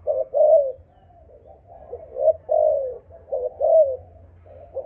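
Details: Spotted dove of a Malaysian line with the 'âm thổ' voice style. It gives low, mellow cooing phrases, each a short stutter followed by a longer drawn-out coo that falls at the end, repeated about three times over a faint low hum.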